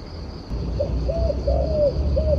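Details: Turtle dove cooing: four mellow, low coos, the middle ones drawn out longer, heard against a low background rumble and a thin steady whine.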